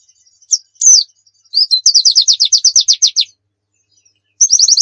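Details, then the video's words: Pleci, or white-eye, in 'nembak' training song: a few scattered high notes lead into a fast, even run of sharp repeated chirps, then after a pause a second rapid burst begins. "Masteran Pleci Nembak"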